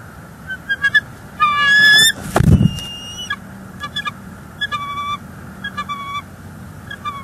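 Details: Bald eagles at a Northeast Florida nest cam, December 18, 2021, as the male brings dried grasses and takes a turn on the egg; bursts of high, thin, piping chittering notes in quick series, with one brief loud thump.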